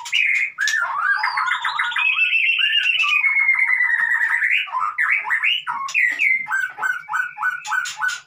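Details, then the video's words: Song of a white-rumped shama used as a lure for a non-singing bird: a long run of fast rattling trills and slurred whistles, closing with evenly spaced short falling notes repeated about five times. "MURAI batu konslet PANCINGAN buat murai batu yg BISU jamin COOR DOOR"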